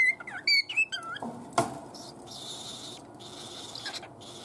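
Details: Caged pet cockatiel grumbling over a leaf of garland chrysanthemum, shredding it instead of eating: quick squeaky chirps and twisting whistled notes at the start, then a sharp click and soft rustling, crunching sounds.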